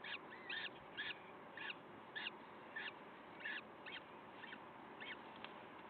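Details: Peregrine falcon at the nest, Wakefield, recorded 5 May 2021 around 06:55 in the morning: a series of harsh, repeated chattering calls, roughly ten bursts over six seconds, set against a steady background hiss.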